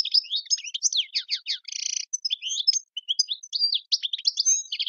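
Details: Goldfinch, an Algerian singer of the tiwawati style, delivering a fast jumble of liquid twitters and chirps with a short buzzy rattle near the middle, then more varied tinkling phrases.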